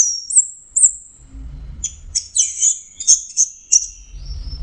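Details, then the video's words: Two high clear whistles from an orange-headed thrush, then a quick series of very high chirps and short twitters, over a steady low rumble. "Burung anis merah jenis burung kicau mahal dan suaranya merdu"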